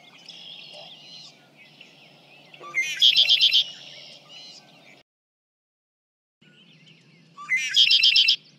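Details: Red-winged Blackbird recorded from 50 feet away with a microphone for comparison: two loud buzzy trilled phrases, each a rapid run of repeated notes, separated by a silent gap, over faint background hiss.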